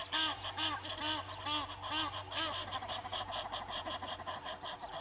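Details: Fighting Egyptian goose families at a game reserve waterhole in Sabi Sand, South Africa, dawn in April; a quick series of rhythmic arched honks, about two per second, fading into layered chatter, with a steady hum.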